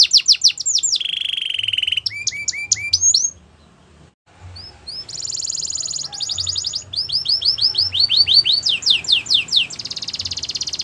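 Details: Belgian canary singing: fast descending notes, a low steady trill, hooked whistles, a brief silence, then a high buzzy trill, rolling trills, rising whistles and a final dense rattle.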